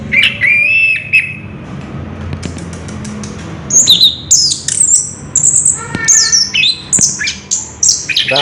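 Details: Orange-headed thrush singing in ngerol style: a short whistled trill, a quieter pause, then loud bursts of very high, piercing whistles and quick twittering runs, over a faint low hum.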